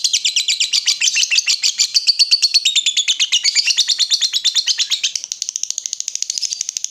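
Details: Lovebird in full voice, used as a lure so other lovebirds reply with ngekek. An unbroken, very fast, high-pitched chattering trill of evenly pulsed notes continues for nearly seven seconds, growing slightly thinner near the end.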